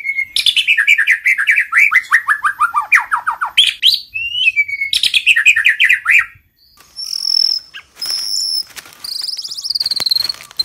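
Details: White-rumped shama singing in the kéo thuốc lào and giọng dây style, from a recording used for daily voice training: two rapid, falling trills of clipped notes, then high thin whistles and buzzy, sharply rising phrases.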